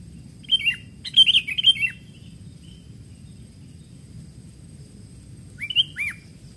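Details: Wild Sooty-headed bulbul, during bird luring, giving bright, bubbly whistled phrases: a burst of four or five rapid notes, then a two-note phrase several seconds later, over low background rumble.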